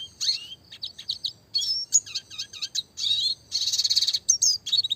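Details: Classic red siskin singing with fast, tight roll and tembak phrases, used to tutor small songbirds: high twittering chips, quick repeated notes and a dense buzzy trill near the end, almost without pauses.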